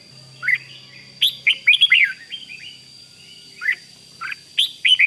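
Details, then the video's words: Red-whiskered bulbul in rik song to stir other bulbuls: scattered bright whistled notes, some falling, others in tight clusters, with a faint low hum and a steady high tone behind. "เสียงนกกรงหัวจุก ร้อง ริก ยั้วให้นกคึกดีมาก"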